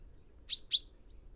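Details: Common chaffinch (Fringilla coelebs): two short, sharp high chips a quarter-second apart, each trailing into a thin sustained whistle, with little else heard.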